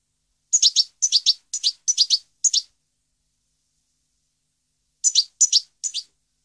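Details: European goldfinch song recorded in 2015: crisp, high twittering notes in tight clusters of two or three, five clusters in quick succession, a pause, then three more.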